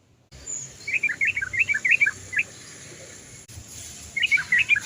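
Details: Sooty-headed bulbul giving its long rolling 'cok cok cok' song to coax other bulbuls to sing. A string of quick bubbly, warbled notes, a pause, then another run, over a steady background hiss.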